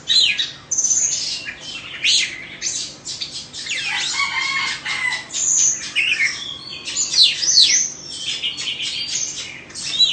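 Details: A two-season caged Oriental magpie-robin from Indonesia sings fast, dense phrases of sharp whistles, harsh scratchy notes and rapid trills, with a sustained lower whistle in the middle of the run.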